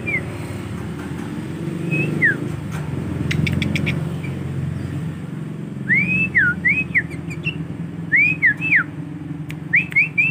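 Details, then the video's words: Young male sooty-headed bulbul, tame and kept, learning to sing: after a quiet start, a run of arched whistled notes in quick pairs and triplets over a loud low rumbling hum. "Burung Kutilang Jantan Jinak Ajar petetan"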